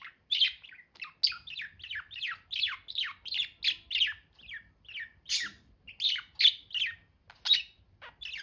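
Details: Budgerigar chirping steadily: a rapid series of downward-slurred chirps, about three per second, with a few harsher, louder notes mixed in and no other sounds.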